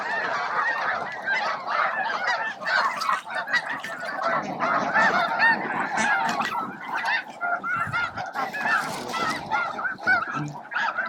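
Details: Snow geese by the thousands crowd the water at Bosque del Apache at midday, feeding and competing for room; a busy, uneven babble of honks, some louder calls standing out above the mass.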